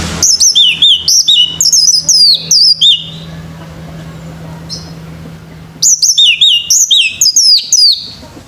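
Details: Morning song of a male orange-headed thrush: two fast bursts of varied, high, looping whistles and chirps, about three seconds each, separated by a quiet gap with a steady low hum.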